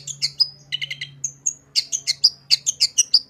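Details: Long-tailed shrike singing a fill-in-rich song as a master for shrikes: rapid high chirps, a quick stuttering phrase of lower notes, drawn whistles, then fast bright chips at about three per second; faint low hum early on.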